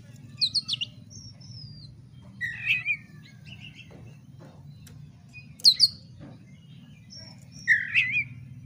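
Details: Oriental magpie-robin singing to provoke a fight: scattered high whistles, short slurred phrases and a harsh chattering note, spaced by long pauses over faint background hum.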